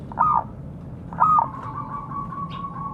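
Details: Zebra dove of local stock calling to others: two quick bright coo notes, then a long faint steady tone trailing underneath.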